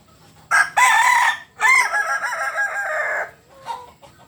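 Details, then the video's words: Kokok Balenggek rooster from Solok, West Sumatra, crowing loudly: two short harsh opening bursts, then a long wavering, stepped phrase of about two seconds, followed by a faint short trailing note. "Ayam kukuak Balenggek... Asli solok Sumbar.."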